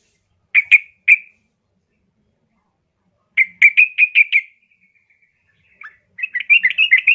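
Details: Yellow-vented bulbul female calling to a male, played as a lure for caged birds: a couple of sharp chirps, then a fast run of bubbly notes, a pause, and a final chattering burst.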